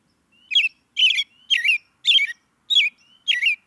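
An American robin gives six sharp, chirpy notes about half a second apart, each opening with a thin high whistle. The background is quiet.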